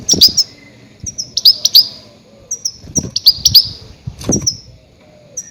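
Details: Goldfinch calls meant to attract grey-headed goldfinches for trapping: bright, high twittering notes in rapid bursts of two to four, repeated about every second, with soft low thumps.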